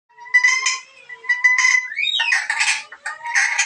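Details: Black-capped lory giving a strange call: harmonic, nasal notes with steady tones, followed by harsher, noisier squawks in quick bursts, with no other sounds.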